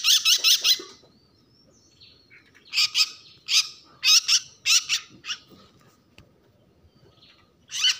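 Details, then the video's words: Bird giving distress calls: bursts of harsh, high, raspy notes in quick clusters, a pause, then a second run of irregular rasping calls and a final burst. "tiếng chim kêu cứu"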